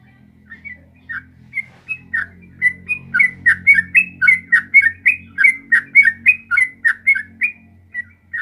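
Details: Sooty-headed bulbul singing vigorously in the long rapid 'ropel panjang' style, used to coax a caged bird into answering: bubbly, slurred whistled notes in quick unbroken succession, almost two per second, wavering up and down, over a faint low hum.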